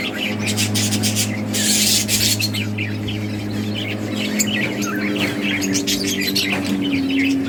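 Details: A colony of breeding budgerigars calls busily, a burst of loud scratchy squawking early on, then rapid twittering chirps, a faint low hum under it all.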